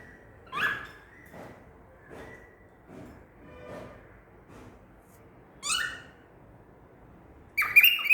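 A male cockatiel gives loud, rising, screechy calls separated by softer chirps and clicks.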